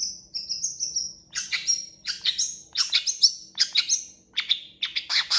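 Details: Long-tailed shrike singing actively with a varied full repertoire: a run of thin high whistled notes, then a rapid series of harsh, buzzy scratchy bursts mixed with short whistles, each phrase about half a second apart.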